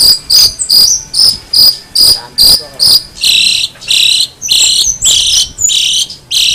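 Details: Long-tailed shrike calling with loud, grating notes, first short and clipped, then longer and buzzier, repeated roughly every half second.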